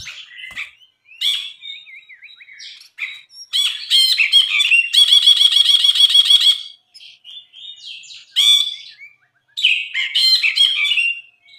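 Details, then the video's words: Tutor recording of a Brinji singing: varied high whistles and chirps build into a long dense stretch of rapid buzzy rattling, then break into scattered sharp notes and further chattering phrases. "MASTERAN BRINJI GACOR"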